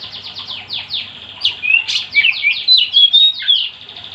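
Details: Oriental magpie-robin in full, lively song meant to prompt other magpie-robins to join in: a fast run of descending sweeps about four per second, then clear whistled notes and buzzy slurred phrases, with faint low hum beneath.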